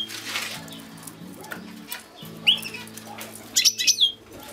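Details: European goldfinch singing: one short rising chirp midway, then a quick burst of high, tinkling, twittering notes near the end, over a low steady humming drone and soft rustling, flutter-like noises.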